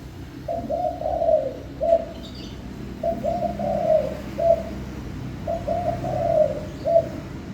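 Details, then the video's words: Spotted dove song: three phrases about three seconds apart, each several quick low coos running into a long purring note and ending with a short clipped coo. "chim cu gáy hót cực hay"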